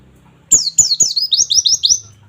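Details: Oriental white-eye nembak song for training young birds: one rapid phrase of roughly nine high, thin, descending whistles, the later notes lower and more rounded.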